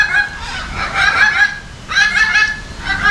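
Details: Salmon-crested cockatoo at Jurong Bird Park, Singapore, on February 14, uttering harsh raspy screeches in two or three drawn-out bursts, loud and close, with faint crowd murmur behind.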